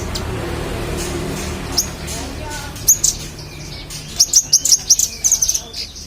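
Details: Magpie-robin singing energetically, used as tutor material for contest songbirds: scattered high chirps, then a rapid series of sharp notes about four per second, against a hissy background with faint lower sounds.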